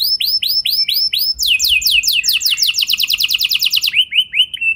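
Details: Canary singing to set off other canaries: evenly spaced high slurred chirps that break into a fast rolling trill of repeated notes, closing with a few downward whistles.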